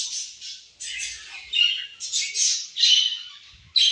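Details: Budgerigars feeding and playing together as a group: harsh, high squawks and warbling chatter in bursts of about half a second, separated by brief pauses. Soft low knocks are heard near the end.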